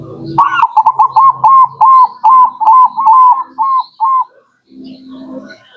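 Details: Local zebra dove song used as a lure to attract birds: a rapid series of clipped, whistled coos near one pitch, repeated about two and a half times per second, ending after roughly four seconds, with faint low hum in the background.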